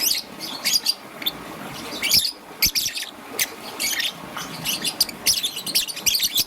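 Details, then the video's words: Green and yellow young peach-faced lovebird in the morning giving shrill, scratchy chirps, singly and in quick clusters, with brief pauses between bursts over a faint low rumble. "Relaxation of Lovebird's melodious chirping sound - Young Peach Face Lovebird - Green and Yellow"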